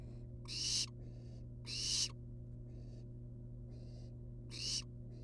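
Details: Harsh, drawn-out rasping hisses from wild barn owl nestlings outside the nest box, three loud bursts with softer hisses between them, over a constant low hum.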